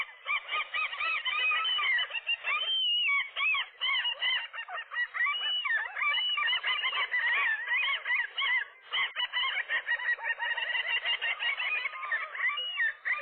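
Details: Gulls wrestling at a roof nest one morning, a pair driving off a single gull trying to come between them; loud, dense, ceaseless chorus of honking, yelping cries from several birds, briefly dipping near the third second.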